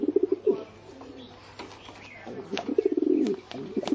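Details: Low pulsing coos from a pigeon, a short stuttered burst at the start and a longer rolling phrase later, with a quieter murmuring stretch between and a few sharp clicks.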